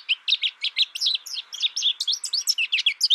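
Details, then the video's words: American goldfinch pouring out a rapid series of high, sweet chirps and twisting warbles, roughly four notes a second, slightly irregular, over a quiet background. "American Goldfinch Sound"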